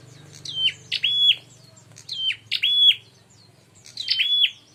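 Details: Bar-winged prinia calling as bait for a fight: paired high chirps sliding steeply down into brief flat tones, given in three spaced bursts over a low droning noise.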